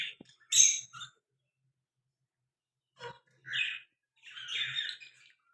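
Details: Young talking parrot kept as a pet, said to talk in Hindi; short harsh, hissy chirps in three separated bursts with silent gaps between them, no other sounds.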